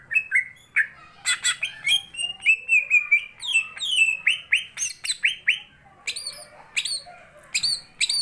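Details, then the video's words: Greater green leafbird in full song during a fight with a companion bird: a rich mix of clear whistles, sweeping slurs and sharp high chips in quick, irregular succession with no other clear sounds. "burung cucak ijone gacor bolo konco..tarung bagus ngentrok"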